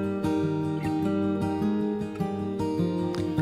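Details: Strummed acoustic guitar music plays steadily throughout, with no animal voice heard.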